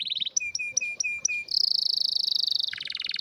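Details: Canary with a rare, strong song: a short buzzy high note, then five sharp clipped notes in a row, leading into a long, fast, even rattling trill that drops to a lower trill at the end.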